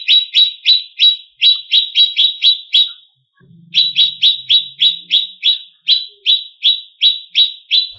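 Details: Greater green leafbird song meant to stir rival competition birds: fast, loud, sharp chirps in steady runs of about three per second, broken by one short gap with a faint low murmur.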